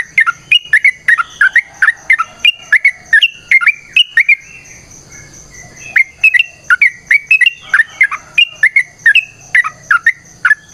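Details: Persistent sooty-headed bulbul fighting song, used as a lure to prompt other bulbuls to respond: rapid chattering whistled notes, a two-second pause filled by a soft high hum, then the bubbly run resumes.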